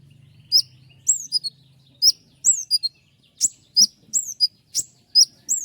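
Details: Common iora in full voice, singing sharp rapid phrases used to tutor other songbirds. Strident downslurred whistles and short chips come in quick, irregular succession, nearly forty a minute, with a brief low hum at the start.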